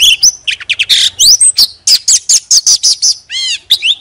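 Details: Decoy Oriental magpie-robin pours out loud, fast, richly varied whistles, sharp chips and slurred notes in quick succession, ending with a rising-and-falling ringing whistle.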